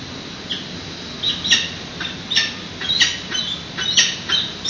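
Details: Young peregrines being fed at their nest on a San Francisco building, 8:35 am, 13 June 2017, recorded by a live nest webcam. Rasping squawks repeat irregularly, growing busier toward the end, with constant low hiss beneath.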